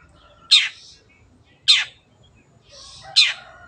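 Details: Long-tailed shrike calling with three loud, grating, falling rasps a bit over a second apart, with faint hissing chatter before the last one.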